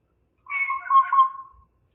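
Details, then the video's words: Blue jay call slowed to a fraction of its original speed, a single drawn-out harmonic note of about one second, nasal and slightly wavering, with no other sounds around it. "The Harmony of Bird Sounds - Blue Jay (Cyanocitta cristata)"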